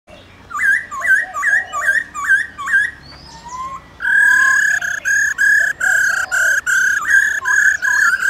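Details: Laughingthrush singing in forest style to call wild birds, with a female present: a run of quick downslurred whistles repeated about twice a second, then loud, steady, harmonic-rich notes broken into pulsed bursts.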